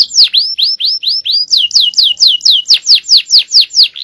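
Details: Male canary singing a long cengkok phrase of clear, repeated downward-sweeping whistles, about four per second, loud and steady.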